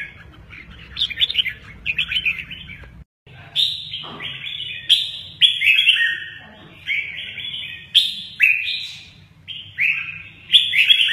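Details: Red-whiskered bulbul singing mơ ché nẹt phrases with lively wing play; crisp, loud whistled chirps come in separate bursts, some sliding downward, with a brief drop in sound early on and quiet gaps between phrases.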